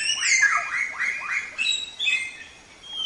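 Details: Black-throated Laughingthrush song used as a training recording for songbirds: a quick run of loud, slurred whistles that swoop down, then higher bright notes and a long level whistle.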